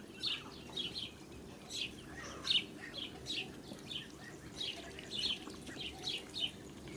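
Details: Ducklings with their blue Muscovy duck mother, farm setting, July 2017. Quick, shrill, downward-slurred peeps come in a steady irregular stream over seven seconds, with low ambient rumble beneath.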